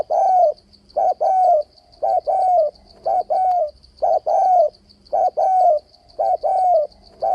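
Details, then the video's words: Spotted dove with varied, continuous cooing used to draw wild doves into traps: three-note phrases of two quick coos and a longer falling coo, repeated about once a second, with a faint high rhythmic chirping behind. "Tiếng cu gáy kích bổi bẫy đấu ,//tiếng chim cu gáy đảo giọng kèm bo liên tục"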